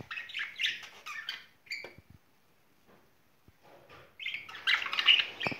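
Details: Budgerigar courting pair in spring, kept as pets: a burst of quick, rasping chirps and warbled notes, then a near-silent gap with faint clicks, before loud chattering resumes at the end.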